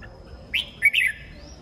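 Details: Red-whiskered bulbul singing in the morning: a brief burst of two to three bright, slurred whistled notes, rising then falling, over a faint steady high-pitched tone.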